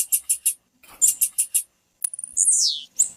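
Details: High, sharp chips from a female blue-black grassquit, played so a male will start singing, in two quick runs of three or four notes, followed by a long downward-sliding sweep and one last chip.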